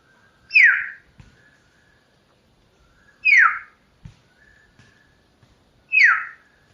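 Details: Common hill myna giving loud, clear whistled calls that slide sharply downward, each under half a second, repeated about every 2.7 seconds with near silence between; faint soft knocks in the background.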